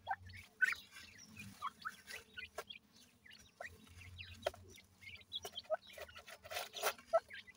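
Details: Grey francolin with chicks, the young calling: sparse high peeps and short chirps in uneven clusters, separated by brief quiet gaps and a few sharp clicks.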